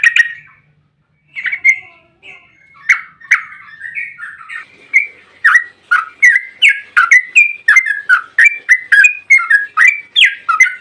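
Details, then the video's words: Energetic Yellow-vented bulbul song in long 'ropel' style, meant to lure other bulbuls into answering: a burst, a pause, then steadily quickening bubbly chirps and slurred whistles, about three per second, with no other sounds. "trucukan gacor ROPEL PANJANG buat pancingan trucukan agar bunyi"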